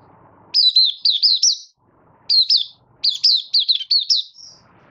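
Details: Caged Malaysian Oriental white-eye, minor moult, 24 August 2023, in 'buka sing' opening song: three crisp runs of high, up-and-down looping whistles, the last ending in a drawn-out thin note, with faint low noise between.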